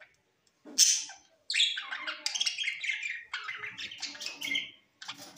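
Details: Parrot in Larkana, Sindh, September 13, 2023: one loud harsh squawk, then a pause and a continuous stream of scratchy chirps and warbles for about three seconds, and a softer burst at the end.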